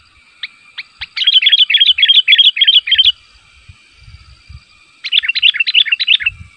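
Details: Sooty-headed bulbul calling so other bulbuls respond: a few isolated chirps, then a fast chattering stream of bright notes lasting two seconds, a pause, and another rapid chattering burst.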